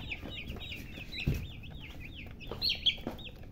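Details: Several young chicks chirping, high sweeping peeps rising and falling in quick succession, with a few sharp clicks and knocks in the background.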